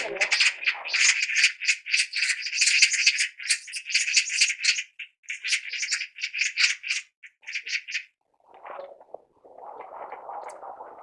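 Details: Chatty magpie giving a long, dry, rattling chatter of rapid harsh notes for about eight seconds, broken by short gaps, then softer low mutterings.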